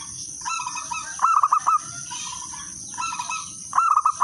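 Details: Lure song of a local zebra dove: two strong trilled coo bursts, each of four quick notes, with softer cooing from other doves between and before them. A steady high-pitched hiss runs through the background.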